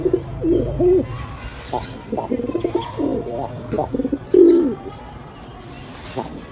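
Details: A pet male pigeon, newly paired with a new female, courts with deep, throaty rolling coos in quick bursts, some swelling and pulsing, followed by quieter rustles and low background noise.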